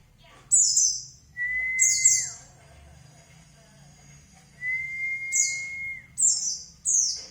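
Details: White-eye song played as a lure to make another bird answer: short, very high, buzzy twittering bursts, with two long, steady mid-pitched whistles whose ends drop away. A faint low hum runs underneath.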